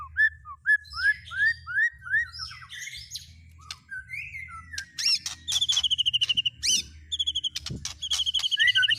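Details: White-rumped shama song with fillings imitating speed cililin, canary and lovebird: rising whistled slurs at a steady pace, then rapid sharp repeated chips and bright buzzy trilled phrases, with low hum beneath.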